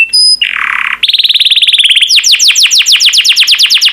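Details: Yellow canary song opening with a brief harsh rasp, then a fast even trill that shifts into a rapid run of loud descending whistled notes, about five per second.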